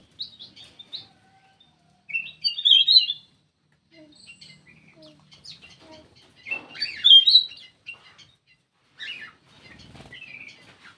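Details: Chirping lure call from a black-crested bulbul: loud clusters of sharp whistled notes around seconds two and seven, with quieter scattered tweets and faint low hum between.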